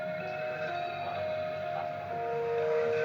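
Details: Steady musical tones with sustained notes fill the clip, with no animal sound present.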